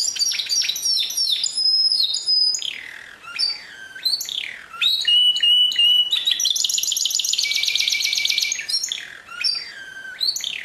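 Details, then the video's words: Long canary song of rich variety: descending whistled slurs, a sustained high whistle, chattering notes, then a loud rolling rapid trill followed by more falling sweeps. "Chant Canari Pur"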